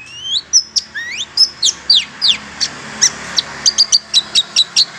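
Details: Long-tailed shrike sound played to lure wild shrikes: swooping rising and falling whistled slurs, then quick repeated sharp high chips in a fast, even rhythm.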